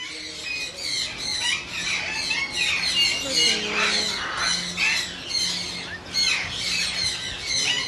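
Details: Hand-tame pet yellow-crested cockatoo giving harsh, grating squawks in quick irregular bursts, about two a second, with a person talking softly underneath.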